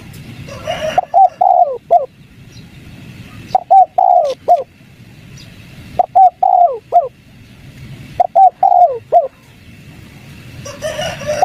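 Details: Spotted dove calling in 'kuk 3' style as a lure for wild doves: four evenly spaced cooing phrases about two and a half seconds apart, each with a long downward-sliding coo, plus brief higher chirpy sounds at the start and end.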